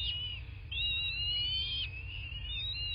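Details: Bald eagle at its nest in southwest Florida, nest camera audio from 8 March 2024, 11:00; high, drawn-out whistles that rise, hold and fall, two or three in quick succession, above steady hum and low rumble.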